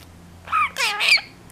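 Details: Three-year-old male budgerigar, a small 30-gram pet bird in Mie Prefecture that copies its owners' Kansai-dialect speech, gives two short scratchy, voice-like bursts of talking, a clipped first syllable then a longer wavering phrase, with people speaking nearby.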